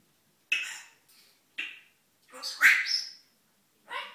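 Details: Male pet African grey parrot gibbering to himself in the morning, indoors: a string of short speech-like raspy syllables and squawky bursts, a longer warbling phrase midway, quiet gaps between.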